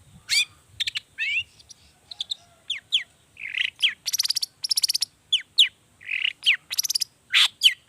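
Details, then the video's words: Cendet, the long-tailed shrike, singing a varied 'toet toet' lure song: quick rising whistled slurs mixed with dense buzzy rattles and short harsh chatters in rapid irregular succession, clean background. "pancingan cendet gacor toet toet variasi"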